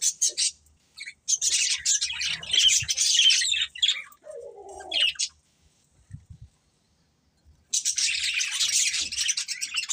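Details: Budgerigars, a breeding pair, giving bursts of scratchy high warbling chirps, a brief lower murmur in the middle, then about two seconds of near silence before the busy chatter resumes strongly.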